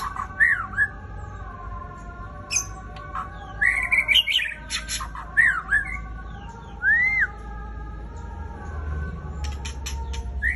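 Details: White-rumped shama (Murai Raja Rimba) in fierce song: spaced phrases of looping whistles, a quick rippling high run, sharp clicks, and a clear rising-falling whistle, separated by brief pauses over a steady low hum.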